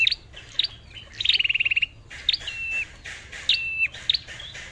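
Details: A red-whiskered bulbul used as a lure bird sings a lively phrase: sharp rising chips, a rapid buzzy rattle of about a dozen pulses, then drawn-out level whistles and more upswept notes.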